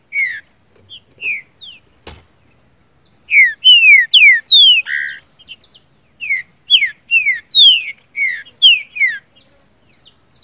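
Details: Green-winged saltator singing "seu chico" song for training a captive bird: scattered soft notes, a click, then a strong run of descending whistles and a rough note, followed by further repeated downslurred whistles.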